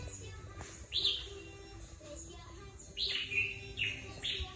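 Red-whiskered bulbul singing short, bright, slurred whistled phrases that arch and drop in pitch, four in under five seconds, over faint background music and hum.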